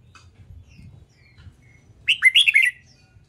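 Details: Red-whiskered bulbul practising competition song: after quiet faint chirps, one rapid phrase of about five loud, rich warbling notes with rising and falling slurs, over a soft low rumble.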